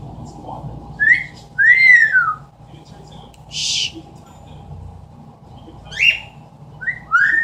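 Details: Pet Amazon parrot mimicking sounds indoors: short upward whistles and an arched, falling whistle, separated by pauses, with a breathy hiss-like burst in the middle.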